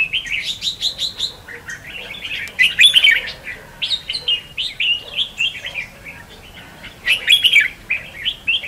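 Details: Red-whiskered bulbul duelling song, played as decoy to attract and trap birds; lively strings of rapid chirping phrases, louder clustered bursts near the start and end, with some faint voices afterwards.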